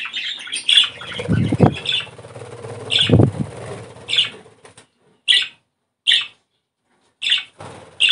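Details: Budgerigar song played to stimulate breeding: bright short chirps, clustered early and then spaced out, over low thumping and rustling sounds.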